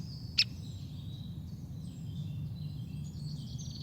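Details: Great spotted woodpecker, common in the woodland, giving its call: one abrupt, sharp 'kik' note that sounds hard and grumpy. Faint high twittering from other birds and a low background rumble sit underneath.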